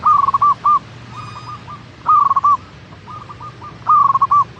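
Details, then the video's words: Perkutut lokal, a zebra dove, sings rolling phrases of quick, clipped coos, each about half a second. Softer phrases from other doves interleave, and there is a low background hum. "Pancingan Burung Perkutut Agar Cepat Bunyi - Zebra Dove"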